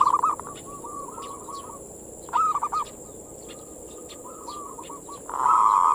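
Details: Cooing song of a zebra dove used as bait for local doves: short bubbling coo phrases separated by quieter rolling notes, a louder burst near the end, scattered small chirps and a constant high hiss.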